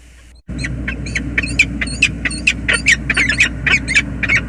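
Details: Peregrine falcon pair greeting at their nest on the James River Bridge, USA, 20 February 2022, the female joining the waiting male: a rapid series of harsh chattering notes over a steady low rumble.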